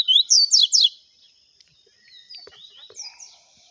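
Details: A double-collared seedeater sings a clean viviti-type song: four loud, bright, sweeping high notes in under a second, then softer, varied chirps and short trills.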